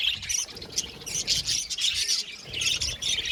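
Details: Colony of budgies singing in an aviary, a busy mix of sharp high chirps and buzzy warbles in bursts, with faint low rumbling in the background.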